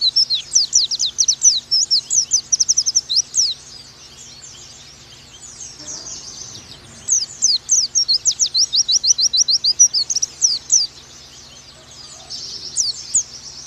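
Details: Oriental white-eye singing in the fast 'nembak' style, used as a master recording for training young birds: rapid bursts of high, thin, sharply slurred chirps, a brief pause near the middle, then more quick runs.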